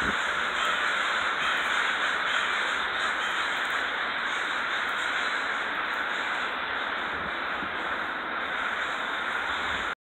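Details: Large gathering of crows in Renton, Washington, cawing together as one steady roar of raspy, overlapping calls that runs for ten seconds at an even loudness.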